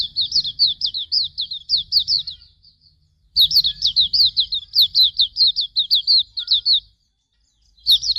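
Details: Hume's white-eye singing a training master song: two long, lively strings of high, falling whistled notes delivered rapidly, separated by a brief silence, then a fresh phrase beginning at the end.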